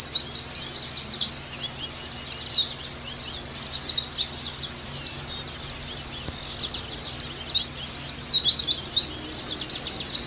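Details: Caged Oriental white-eye singing during therapy and tutor training, delivering quick high twittering phrases, buzzy trills and falling slurred notes in bursts separated by short quiet gaps, with a low steady background hum.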